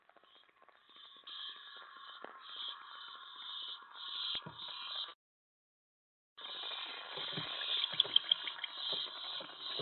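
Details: Owlets heard at 2:50 AM on 25 May 2017 during a mouse delivery, five young at the nest site. Long, harsh, hissing screeches run almost continuously, then break off briefly and resume louder, with faint clicks and rustles.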